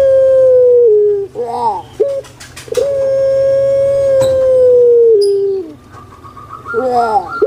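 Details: Kept puter pelung collared dove from Java, Indonesia: a sustained mellow coo falling at its close, short wavering gurgled notes, then a longer level coo of over two seconds stepping down in pitch, followed by more warbling notes.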